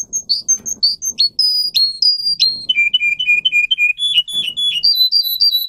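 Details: Russian canary, a breed bred for singing, whose song is used for training other canaries: clear whistled high notes in short repeated groups, stepping down in pitch and then back up, with faint low knocking behind.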